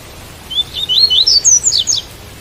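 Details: Song of a white-collared seedeater against a rain backdrop, one lively phrase of about ten quick whistled notes that step upward and end in fast high slurred flourishes, over a soft constant hiss.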